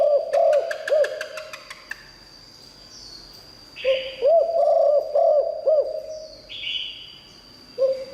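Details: Liu tan style song of a spotted dove used to call in wild doves: a clicking rattle opens, then rounded low coos in phrases, with short hissing bursts and a faint steady high whine.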